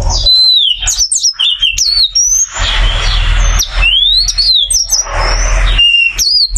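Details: Loud varied song of a caged oriental white-eye, large and duck-bodied: tumbling high whistled slurs, thin sustained notes and quick chips in unbroken runs, with some broad rustling noise and low rumble.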